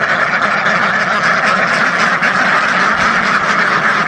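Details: Thousands of ducks calling together: a steady, loud roar of overlapping quacks that blur into one continuous rasping chorus with no gaps.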